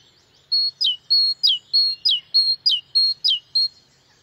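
A great tit sings a bright, two-note 'teacher-teacher' phrase: a steady high whistle, then a quick lower drop, repeated briskly about ten times with no other sounds.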